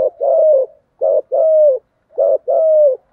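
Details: Caged decoy spotted dove calling to lure wild doves: three two-part phrases about a second apart, each a short coo followed by a longer, steady, mellow coo that slides down at the end, with clean silence between.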